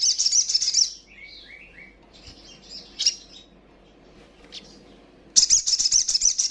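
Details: Provoking call of a female sogon, or little spiderhunter: a shrill, rapid trill burst, then quieter jumbled twittering and a few brief notes, before another loud high chatter.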